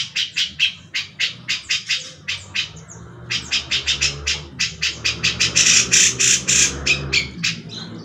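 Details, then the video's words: A Grey-cheeked Bulbul gives loud, harsh, chattering notes repeated rapidly, about three or four a second, in an energetic run over a faint low hum; the recording is presented as a tutor song for training magpie-robins and other songbirds. "SUARA CUCAK JENGGOT YANG BAGUS UNTUK MASTERAN MURAI BATU, KACER, IJO"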